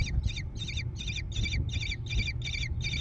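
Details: American kestrel chicks in a nest box near Prairie du Chien, Wisconsin, June 14, 2022. Nine evenly spaced harsh, buzzy rasping calls come about three per second, over a steady low background hum.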